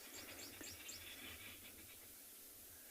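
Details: On a November morning safari drive in a South African game reserve in dense summer growth, a flock of arrow-marked babblers squabbles in quick, harsh, overlapping chattering for about 1.5 seconds while a hyena looks toward them, then fades into hiss.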